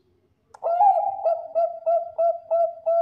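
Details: Bangkok-type zebra dove, a prized singing bird used as a lure for other zebra doves, giving a loud mellow cooing phrase: a long sustained coo followed by a run of short rhythmic notes, repeated evenly about every third of a second.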